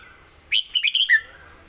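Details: Red-whiskered bulbul kept as a cage bird delivering one short southern-style song phrase: four rapid, clear whistled notes followed by a falling slurred note, over quiet background.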